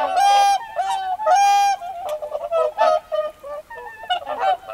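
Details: At a lake, whooper swans become busy with many loud calls: trumpeting, nasal, brassy honks overlapping in quick succession, with softer honks trailing between, pintail ducks also present.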